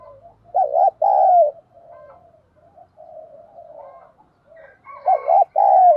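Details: A spotted dove kept as a decoy gives two loud double-then-long coo phrases, one at the start and one at the end, with quiet low murmuring coos between them.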